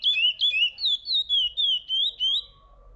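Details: Curió, the chestnut-bellied seed finch, giving a sweet whistled phrase of about eight rising-and-falling notes at an even, fairly quick pace, with a faint steady tone audible at the end.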